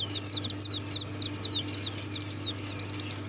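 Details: Several Serama chicks peeping continuously: shrill, arched high chirps repeated about three per second, with a constant low hum beneath.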